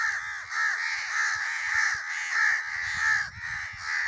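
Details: Crow giving a continuous run of harsh, raspy caws that blend into one another, the loudness swelling and dipping with each call, and no other clear sounds.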